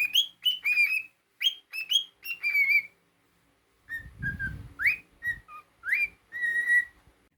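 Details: Whistling male cockatiel kept as a pet: a quick run of bright upslurred notes, a brief pause, then a low rumbling noise under further swooping and falling whistles ending in a long held note.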